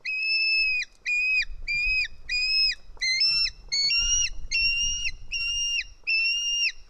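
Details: White-tailed eagle chick screaming as a parent feeds it fish at an Estonian nest, 4 July 2018; steady train of high, shrill, level whistles with drooping ends, roughly 85 per minute, with soft low rumble mid-way.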